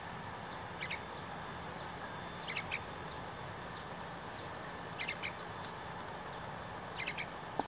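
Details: Loud calling from a juvenile yellow-vented bulbul undisturbed by an approaching person: repeated short clipped chirps, often doubled or tripled, spaced irregularly through the recording, with faint softer notes and steady background hiss.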